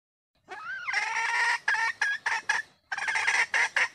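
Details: Female red junglefowl call, used to lure males closer or make them crow: a rising-falling opening note, then a long harsh nasal call breaking into a rapid series of short clipped cackling bursts.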